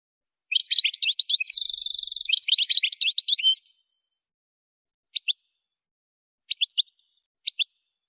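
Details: European goldfinch singing, played as stimulation for training songbirds: one fast liquid twittering phrase with a harsh buzzy trill in the middle, then scattered short, high, clipped chirps in pairs and threes.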